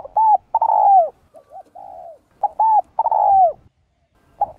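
Spotted Dove giving soft, low cooing phrases: a short coo then a longer falling coo, with quieter notes between, repeated after about two and a half seconds.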